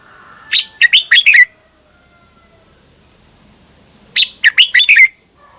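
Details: Thai caged-bird song of the red-whiskered bulbul, played to excite birds: a pair of quick, strident phrases of four or five chirping notes each, closing on a downward slur, separated by nearly three seconds of silence.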